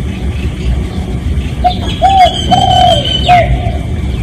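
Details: Real recording of a spotted dove used as a lure call to attract other doves: soft coos in a short-long-long-short phrase, the long notes sliding downward, with a faint thin whistle from another bird behind.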